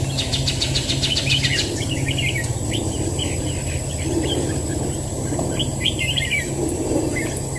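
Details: Red-whiskered bulbul, a fighting bird in a trap, singing short warbled chirpy phrases in quick bursts over steady low rumbling noise and a constant high whine.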